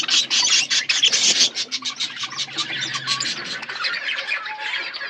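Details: Budgerigars in a colony setup chirping together, a rapid, dense stream of overlapping bright chirps and chatter, loudest at first and then settling into a softer, steady twitter, with faint scratchy background noise.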